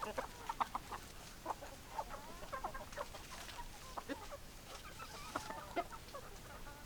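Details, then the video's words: Group of chickens clucking, scattered short clucks and soft cackling from multiple birds over a steady low background. "Chicken Sounds Noises Hens Clucking Roosters Crowing"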